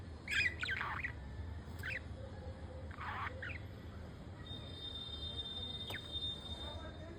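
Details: A pair of pet budgerigars, male and female, cleaning each other's feathers; a cluster of sharp squeaky chirps opens, followed by a few scattered scratchy notes and a faint thin whistle against a low hum.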